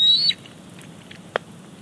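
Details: Wild bald eaglet at a Big Bear Lake nest, 28 July 2019, squeeing as its mother brings in a fish: one short thin high whistle rising then breaking off, followed by quiet and a single sharp click.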